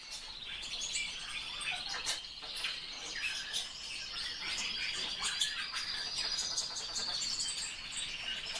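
Common starling chatter: a dense, continuous jumble of high clicks, squeaky whistles and rattles, with bursts of sharper notes throughout and no other clear sounds.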